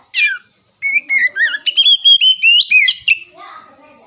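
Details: Oriental magpie-robin (kacer) song, used as a lure to set off chattering: a sharp opening note, then a rapid run of rising and falling whistles and warbles in quick succession before fading.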